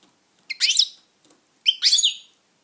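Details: European goldfinch kept as a pet, singing two bright, tinkling twittered phrases a little over a second apart, each with fast sliding notes.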